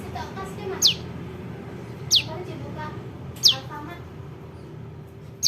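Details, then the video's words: ['Young prinia calling, sound used to lure birds for trapping: four thin, piercing notes, each falling steeply in pitch, spaced about 1.3 seconds apart, with faint background rumble.'] "SUARA PRENJAK LUMUT [ ANAKAN ] AMPUH UNTUK PIKAT"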